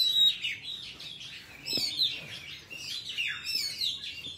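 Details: Wild forest song of an Oriental magpie-robin, used for trapping and training young birds' voices: a thin high whistle, then a steady stream of sweet, bubbling warbles and slurs.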